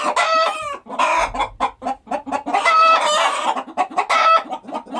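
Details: Rural farmyard chickens keep up steady clucking, short clipped notes mixed with longer strained squawks from more than one bird, with a brief low rumble underneath.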